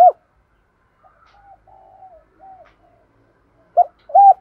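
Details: Spotted dove cooing to provoke wild birds into approaching a decoy: one coo note, a stretch of soft faint murmuring, then two strong coos closing the clip.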